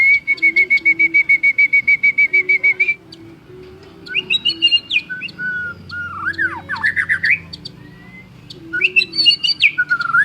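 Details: Champion white-rumped shama in energetic song: it opens with about fifteen rapid, even, repeated whistled notes over three seconds, then a varied run of swooping whistles and trills, with a constant low hum beneath.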